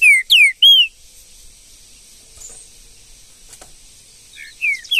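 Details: Green-winged saltator in the woods giving three strong whistled notes that bend down and up, then a long quiet gap before another burst of short slurred whistles.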